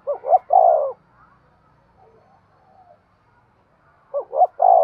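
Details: Stimulating coos of a spotted dove: one full phrase of two quick hoots and a long coo, a quiet pause with faint murmurs, then a second phrase beginning at the end.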